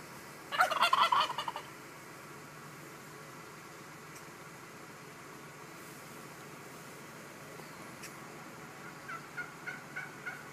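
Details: Wild turkey, one of three males strutting on a lawn to impress a single hen, gives one loud, rapid, rattling gobble lasting about a second, followed near the end by a softer, quicker series of gobbling notes.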